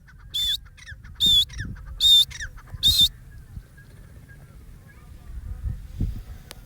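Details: Pheasant calling as it takes off and flies skyward: four loud, harsh, noisy bursts, each carrying a thin high whistled tone, spaced under a second apart, followed by a low background rumble and near silence.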